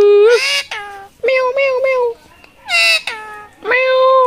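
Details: A talking rose-ringed parakeet utters almost continuous nasal, voice-like syllables, some level and some sliding, run together into word-like phrases with brief pauses between bursts.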